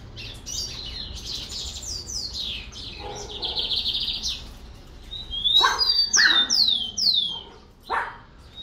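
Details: Rufous-collared sparrow song of clear downslurred whistles repeated in a quick series, following a stretch of rough broadband noise, with short low thumping sounds between the notes.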